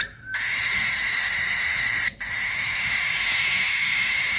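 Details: A baby cockatiel, very noisy after handfeeding, gives a harsh, hissing begging call in two long, raspy bursts.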